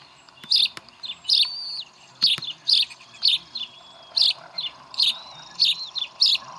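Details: Bald eagles at their Decorah nest on 11 April 2012, with chicks being fed brunch. Short, bright, squeaky chirps come roughly every second in a steady series, and thin whistled tones drift in the background.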